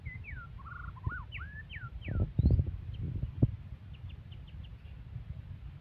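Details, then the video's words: White-rumped shama, described as aggressive, delivering a fast sequence of falling whistled slurs and a brief trill, then quieter high notes later, with bumping and rattling sounds in the middle. "murai batu galak"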